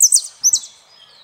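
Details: Saffron finch singing: two quick bursts of high, sharp chirps and short slurred notes about half a second apart, then a faint, thin drawn-out whistle trailing off in an otherwise quiet background.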